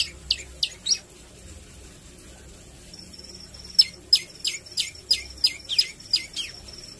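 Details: Lively Javan tailorbird 'shots': three sharp high notes, a pause over a thin steady high tone, then a fast string of about ten piercing downswept notes at an even, rapid beat.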